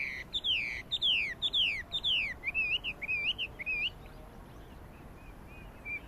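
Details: Chinese hwamei recorded on 12 April 2009, giving loud clear whistles that slide steeply downward, repeated about every half second, then a run of shorter upturned whistled phrases fading away quietly.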